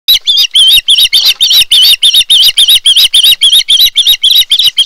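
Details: Osprey at a Chesapeake nest during a big food delivery, 23 March 2018, recorded by a live nest camera: fast, excited high chirps repeated several times a second in a steady rapid stream.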